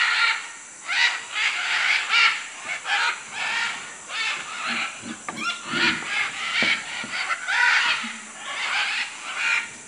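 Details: Macaws in Manu, Peru, keeping up a busy stream of hoarse, grating squawks, many overlapping in quick succession, over a persistent shrill insect hum.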